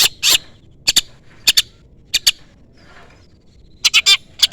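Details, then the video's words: Long-tailed shrike calling a rival, a lure recording for kept birds: loud broadband raspy chips, single and in pairs with short gaps, ending in a burst of harsh notes; low background hum. "pancingan cendet gacor full isian CUITAN MEMANGGIL LAWAN"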